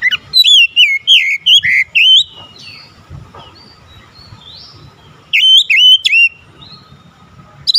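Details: Oriental magpie-robin in full, chattering song: loud whistled and slurred notes in quick bursts for two seconds, a quiet pause, then another burst near the end.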